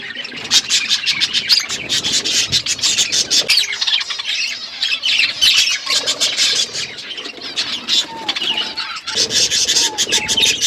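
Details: Feeding budgies keep up loud, scratchy chattering with rapid clicks and squawks; a few short whistled notes come through near the end.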